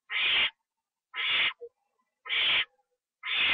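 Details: Owl during a night-time treat delivery, eaten indoors, 25 September 2011, 1:52 AM, live camera: four rasping broadband screeches of roughly half a second each, about one per second, with a small soft note in one gap.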